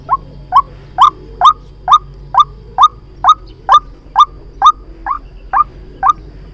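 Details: Loud, steady series of fourteen rising croaking notes from a white-breasted waterhen, played as a trapping lure, evenly spaced roughly twice per second with little background noise.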